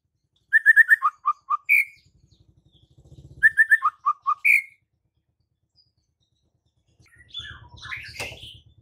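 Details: White-rumped shama singing vigorously with a full repertoire. A phrase of four quick clear notes, a lower trio and a rising slurred whistle is sung, then repeated after a pause. A low rumble runs underneath, with a broad rustle near the end.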